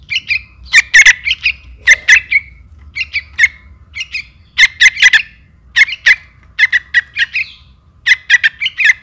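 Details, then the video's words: Young trukan calling for its mother, giving rasping chirps grouped in twos and threes, some with a short downward tail, repeated about once a second over a faint low hum. "Suara pikat anakan burung trukan Mp3||anak trukan memanggil induk"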